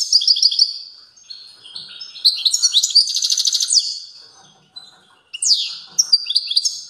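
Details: Strong song of a European goldfinch, taped 29 September 2022: bright tinkling twitters, then a dense buzzy trill and sweeping downward notes, broken by short pauses.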